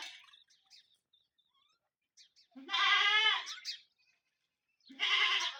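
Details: Indian peafowl during a fight between peacocks: two loud, drawn-out nasal wails rich in harmonics, each lasting close to a second, separated by a quiet gap with faint scattered chirps.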